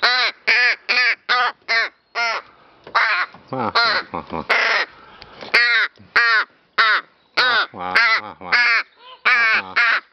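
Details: Rook at play with a feather and flower, giving a long run of hoarse, grating caws, mostly short and repeated in quick succession, with a few longer drawn notes.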